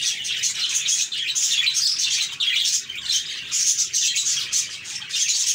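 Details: Flock of budgerigars chirping continuously, a dense overlapping chatter of high, rapid twitters and warbles with no pauses, from a long compilation of budgie sounds made to cheer quiet, lonely pet birds.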